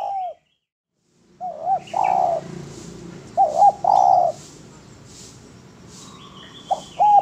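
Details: Spotted dove (derkuku) giving a clean masteran song: soft short coos followed by a long, full coo, repeated twice after a brief silence, with faint bird twittering in the background.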